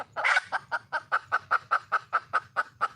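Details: Wild red junglefowl hen calling for a male: one loud harsh squawk, then about eleven even, clucking notes roughly every fifth of a second, steady and slightly nasal.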